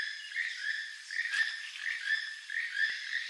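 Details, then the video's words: Rasping, frog-like croaks from a keel-billed toucan, repeated in a steady rhythm of roughly three notes a second, with a brief click partway through. "keel billed toucan sound"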